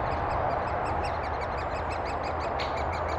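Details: Great spotted woodpeckers feeding their chicks in Thurrock woods, 20 May 2014, recorded on a FinePix HS50EXR camera; rapid, steady series of short, sharp high notes, about four per second, over a constant broad hiss and low rumble.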